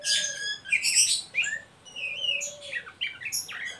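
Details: Oriental magpie-robin giving ngeriwik calls meant to lure and stimulate young birds into singing: high whistled notes and rising-falling slurs mixed with harsh scratchy bursts, delivered in a rapid, irregular stream with no other sounds.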